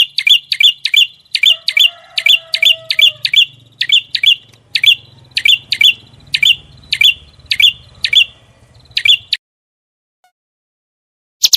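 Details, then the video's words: Tembakan masteran from a small bird: a fast run of sharp, high chips, quick at first, then spacing out over nine seconds before stopping. A faint low hum sits underneath. "MASTERAN BURUNG KECIL FULL TEMBAKAN VARIASI MEWAH"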